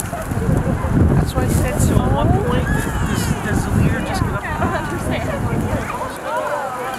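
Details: About 90,000 snow geese taking off from a field at Middle Creek Wildlife Management Area, Pennsylvania, on 22 February 2020: a dense chorus of overlapping nasal honks over a low roar of wingbeats and wind.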